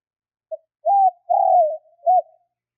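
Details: Spotted dove giving a lure call meant to rouse wild doves quickly: a short soft note, then a cooing note, a long drawn falling coo and a short closing coo, low and mellow, in an otherwise silent recording.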